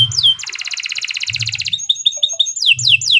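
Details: Canary with a long, lively training song: a falling whistle, a dense fast metallic rattle lasting over a second, short clipped notes, then repeated descending whistled swoops, over a low rumbling hum.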